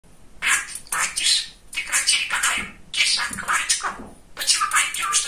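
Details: Male pet budgerigar, very chatty, talking: fast raspy bursts of mimicked words and squawky chatter, almost continuous, in an indoor room.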